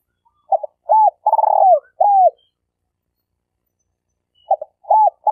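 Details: Spotted dove kept as a trapping decoy repeats its coo phrase. Short double notes, an arched hoot, a long rolling trill and a falling coo follow each other, and after a two-second pause the sequence begins again.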